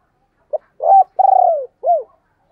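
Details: Spotted dove calling in the thúc and gáy gọi style: a short clipped note, a rising hoot, a long pulsing coo that slides downward, and a final arched coo.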